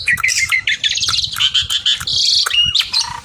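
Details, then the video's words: Song of a Javan pied starling calling a rival: harsh, grating rattles and squawky buzzes alternate with short whistled notes, delivered in a fast, almost unbroken stream with faint low background rumble. "Burung Ocehan Jalak Suren Gacor Memanggil lawan"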